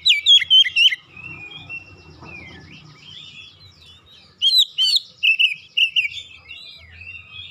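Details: Oriental magpie-robin kept at home, quickly roused by another bird into fierce 'ngoyak' singing that unloads its learned 'isian' phrases; a loud whistled flourish opens, then softer warbling, then a fresh burst of quick, chattering, whistled notes.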